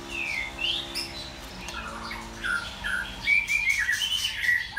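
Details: Captive male white-rumped shama kept as a model bird for its song: short clear whistled notes and slurred phrases at a mid-high pitch, rather quiet, with a steady low hum underneath.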